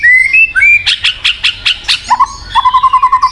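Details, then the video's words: White-rumped shama song meant to coax a silent bird into singing: rising whistles, then a quick series of ringing notes about three per second, ending in a lower, rapid, evenly repeated trill. "PANCINGAN BUAT MURAI MACET | WHITE RUMPED SHAMA SONG"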